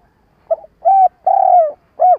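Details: Decoy spotted dove used to lure wild doves for trapping, in a stuttering coo-and-call style. One phrase: a short soft note, then three loud low hollow coos, the middle one longest and slightly falling.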